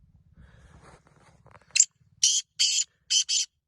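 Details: Black francolin calling: after faint low murmuring, one sharp high note, then four loud, harsh, grating bursts in quick succession, the last pair close together.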